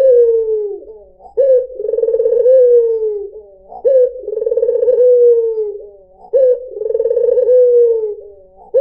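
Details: Repeated song of a white dove (puter putih), used to lure other birds. Four regular phrases come about every two and a half seconds. Each has a rolling, vibrating middle that ends in a long, gradually falling coo.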